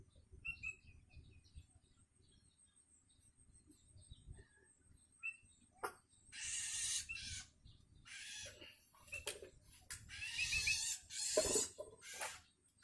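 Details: Long-tailed shrike chick hungry and calling to its parent: quiet start with a few faint high whistles, then a series of harsh, hoarse rasping screeches in irregular bursts over the last seven seconds.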